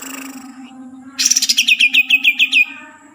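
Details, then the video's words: Kalimantan cucak ijo, or green leafbird, bursts into a harsh note, then about eight clear, rapid descending chirps over a constant low hum. "Burung cucak ijo asli kalimantan"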